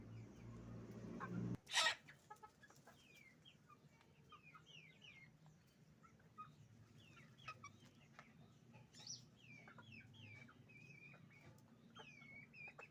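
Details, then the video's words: Noisy chicken farm with roosters and hens: a loud thump near the start, then a steady stream of high, downward-slurred peeps and scattered short clucks over a low hum. "Moment of the sound of a chicken farm, roosters and hens making noise"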